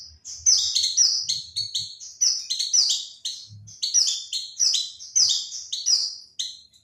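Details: Oriental white-eye lure call used to draw in other birds: bright, high twittering chirps tumbling rapidly in overlapping bursts, almost continuous, with a few soft low thumps beneath.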